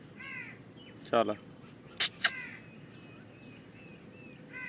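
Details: A black francolin gives loud, harsh, broken bursts near the first and second seconds. Softer harmonic chirps sound in the background, and a man's voice is heard nearby.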